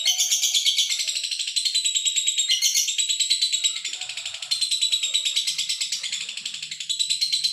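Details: Male lovebird delivering sustained, rapid, shrill chatter of buzzy trilled notes, pulsing several times per second, with faint low background sounds indoors.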